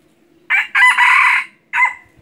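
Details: Red junglefowl used as a hunting decoy crows loudly: a short opening note, a longer strained middle phrase, then a clipped final note, with a quiet background.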